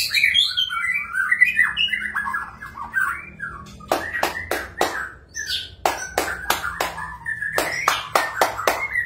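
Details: A magpie-robin opens with rapid chattering, descending whistled notes, then sings steady whistles punctuated by bursts of sharp, regularly spaced clicks.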